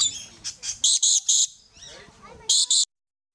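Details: Yellow-streaked lory, a kind of parrot, at Lion Country Safari in South Florida: a series of short, loud, harsh high screeches in quick succession, with softer chattering between them.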